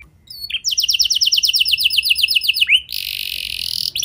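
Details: Canary song as a lure for other canaries: after a short quiet start, a rapid even rolled trill, a sliding whistle, then a harsh buzzy rattle held for about a second.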